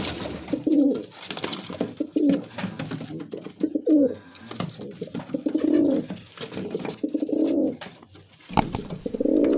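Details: Low rolling coos from a Musaldom pigeon, a domestic breed, repeated roughly every two seconds indoors, each a throaty burbling phrase, with scattered clicks and shuffling noises.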